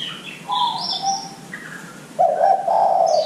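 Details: Spotted dove song played as a lure to get young doves calling sooner: low hoarse cooing notes in two bursts, the second longer and louder, with thin high chirps and whistles from other birds between them.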